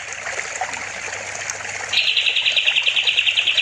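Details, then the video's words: Sooty-headed bulbul master recording for training songbirds, with water in the background: a faint jumble of notes at first, then a loud, fast, even trill of bright chirps in the second half. "Kapas tembak gacor || Masteran burung"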